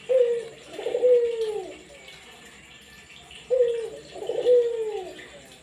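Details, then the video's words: Caged Barbary dove cooing at home to stimulate other, silent doves to call: two low coo phrases, each a short note followed by a longer drawn-out falling coo, with faint room noise. "puter gacor buat emosi burung puter anda yang bisu langsung ikut bunyi"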